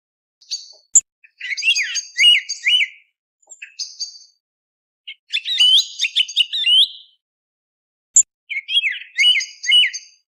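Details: Song thrush singing before sunrise, a recording used as a hunting lure: loud, bright phrases of sharp whistles and chirps, each a second or two long with short pauses between. No other sounds.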